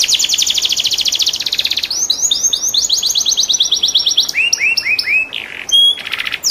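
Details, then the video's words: Gacor canary delivering a unique 'cengkok' master song for training other canaries: dense fast trill, rolling arched whistles, lower looping notes and a brief high buzzy rattle at the end. "SUARA KENARI CENGKOK UNIK GACOR||COCOK BUAT MASTERAN||TERAPI KENARI"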